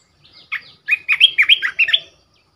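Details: Red-whiskered bulbul kept as a decoy bird, singing a short bubbly phrase of about eight quick, slurred whistled notes that rise and fall, lasting around a second and a half, with a quiet background.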